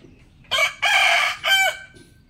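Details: Morning crow of a rooster: a loud, hoarse three-part cock-a-doodle-doo with a short opening note, a long strained middle note and a falling final note, all within about a second and a half, over a quiet background.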